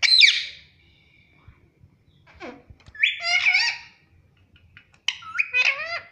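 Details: Pet parrot talking, repeating "Mummy": a rough, sliding call sweeping down, then two bursts of harsh, wavering, stacked syllables rising and falling, with quiet room sounds between them.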